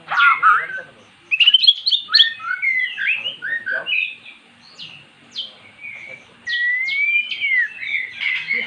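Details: A magpie-robin that had been silent sings after being lured with recorded song. Clear whistled phrases and sharp downward-slurred notes come in spaced bursts, and a long, smooth, rising whistle is heard near the end.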